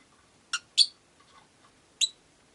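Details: Three crisp, high chirps from rosy-faced lovebirds, the second the loudest, with faint soft notes between them; five birds share a cage beside a window.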